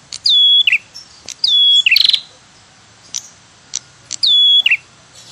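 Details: Prinia lure call used to attract birds, known locally as tirr tiirr cemplik: three loud whistled phrases, each a high falling note sliding into a steady tone then a short dropping flourish, about every two seconds.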